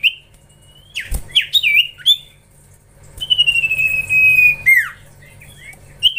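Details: Young common iora, singing eagerly during training, gives high clear whistles: a level note, then quick upslurred and looping whistles, and a long steady whistle that ends in a sharp downward sweep, with low hum behind.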